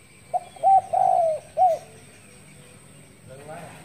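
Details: One spotted dove cooing in the morning, a single phrase of short hooting notes around a long, gently descending coo, ending in a brief note. Quieter indistinct sounds follow, over a soft background hum.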